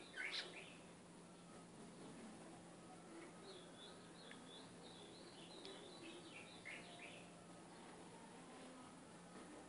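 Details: Sung by an Ultramarine grosbeak to train a caged capped seedeater: a rippling chain of sweet, high warbled notes with falling slurs, after a louder burst at the start. The song is soft and heard against a low, even hum.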